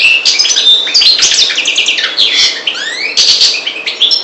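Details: Loud, dense warbling from a parva goldfinch of the Maghreb: liquid twittering notes, rising and falling slurs and buzzy bursts tightly packed together, with faint rustles beneath.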